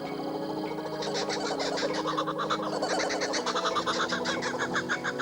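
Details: A Laughing Kookaburra's early-morning call in the Australian bush: a loud, rollicking chorus that builds after a second into rapid chuckling hoots, about three a second, over what may be a low musical bed.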